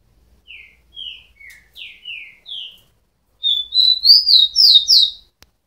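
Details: Rufous-collared sparrow song with five slow clear downslurred whistles followed by a loud fast jumble of high whistled notes, quiet background.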